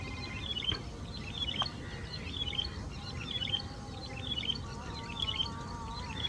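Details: Yellow-bellied prinia (Prinia flaviventris), song.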